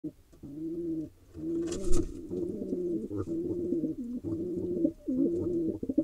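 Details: Wild male pigeon in Israel persistently attacking a female, giving low, throaty coos in rolling phrases of about a second each, repeated almost without pause, with a few soft knocks and rustles in between.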